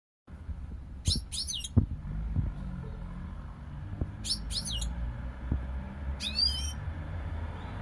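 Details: European goldfinch giving three short, bright twittering bursts with rapid up-and-down sweeping notes, spaced a few seconds apart, over low thumps and a faint steady hum.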